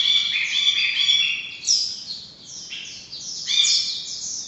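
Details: Ashy bulbul, locally called Brinji Kelabu, giving bright, high chirping notes in rapid bursts, with slurred phrases that drop in pitch; three separate flurries of overlapping twittering.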